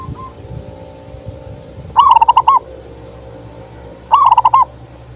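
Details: Zebra dove song meant to make silent doves answer: two quick phrases of stuttering, bouncy coos about two seconds apart over a low rumbling background.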